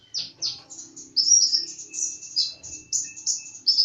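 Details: Kolibri ninja sunbird in energetic song, a continuous string of sharp, high-pitched chirps and slurred twitters, tightly spaced and bright throughout.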